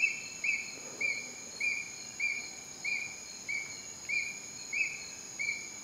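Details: At Heliconias, Upala, Costa Rica, a juvenile Ornate hawk-eagle gives high, slightly rising whistled notes about every 0.6 seconds, over a steady high insect drone.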